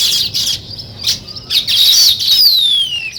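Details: Weaver birds building a nest: a busy high chatter of squeaky chirps and buzzy notes, ending in a long thin whistle that slides steadily downward.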